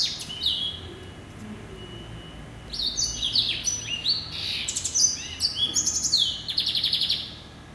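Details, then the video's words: Male hybrid finch, a yellow-eyed canary and Timbrado cross hatched in November 2012, gives a short whistle, falls quiet, then bursts into an energetic song of rattling trills, high chirps and rapid buzzy notes. "Hybrid Finch ...Yelloweye & Timbrado"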